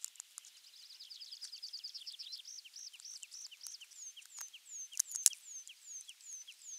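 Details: Osprey at nest camera 3 in Finland on 23 June 2020, the morning a half-kilogram crucian carp came as the first fish; a rapid series of high, short, downslurred whistled calls, about four per second, over soft clicks and rustling.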